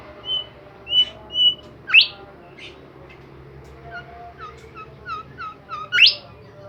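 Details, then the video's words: Actively singing Bimoli bird: short clear whistles, a loud rising sweep, then a run of soft falling notes repeated quickly and another sharp upsweep at the close. "super jos burung Bimoli gacor"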